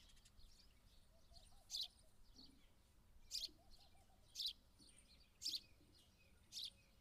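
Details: Single sharp house sparrow chirps spaced about a second apart over a quiet background hum, with faint low wavering notes from another source.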